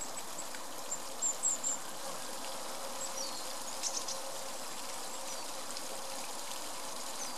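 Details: Juvenile European robin in the Munich Botanical Garden gives a few thin, very high, short tseep notes in a quick cluster, then one more, over a steady rushing background like flowing water.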